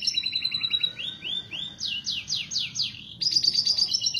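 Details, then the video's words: Canary mating song, used by breeders to bring canaries into breeding condition: fast trills, a run of rising arched notes, then bright descending sweeps repeated quickly, ending in a rapid high buzzy rattle. "Kicauan Kenari Kawin Untuk Pancingan Mengawinkan Kenari"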